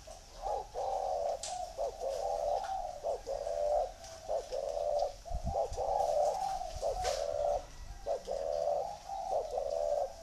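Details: Spotted dove cooing in the Vietnamese 'gù thổ' style. Low, hollow coo phrases repeat in quick rhythmic bursts with short gaps, about ten seconds of steady calling. A faint thud sounds midway.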